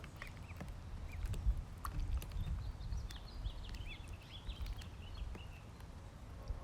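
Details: Ducklings at feeding time, with a stream of high, short, up-and-down peeps over several seconds, mixed with sharp ticks and knocks over a constant deep background hum.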